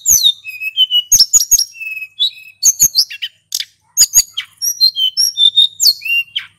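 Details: Male hill blue flycatcher in energetic rolling song, used to lure birds. Slurred whistles and flat whistled notes mix with crisp chips and short buzzy trills, repeated in tight, rapid phrases.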